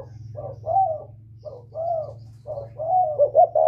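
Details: Northern Vietnamese whistle-voiced spotted dove calling to draw out wild doves: a run of soft rising-and-falling coos, some wavering, delivered almost continuously over a constant low droning hum.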